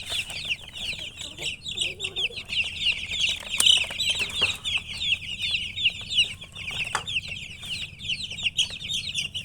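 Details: Chicken chicks peeping nonstop, a thick layer of shrill, short down-slurred chirps from many birds at once, about three per second, with faint low rumble beneath.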